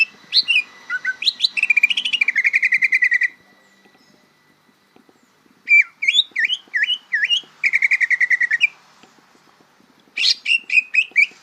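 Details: Greater green leafbird youngster rehearsing its song: fast repeated buzzy notes, a pause, a series of looping up-and-down whistles, then another burst of rapid varied phrases.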